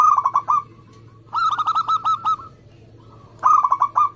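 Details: Singing local zebra dove from Indonesia: three quick bursts of short, rolling coos, each run lasting under a second, with faint quieter cooing from a second dove in the gaps and a low background hum.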